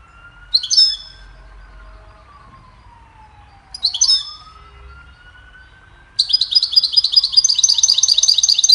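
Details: Goldfinch singing, recorded to help train songbirds: two short bright twittering bursts, then a long dense buzzy, rapidly trilled phrase, over a faint sliding whistle-like tone in the background.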